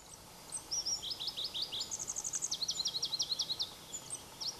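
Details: Two Pallas's leaf warblers singing near Erdenebulgan, Khövsgöl, Mongolia, in July 2009: a high, fast song of repeated chips and rattling trills that shifts pitch between phrases. Faint background hiss.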